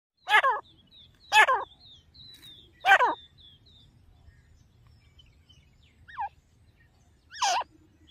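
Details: Female grey francolin calling in jungle: four loud, harsh, ringing notes sliding downward, spaced about one to one and a half seconds apart with a longer gap before the last, and faint thin high whistles between them.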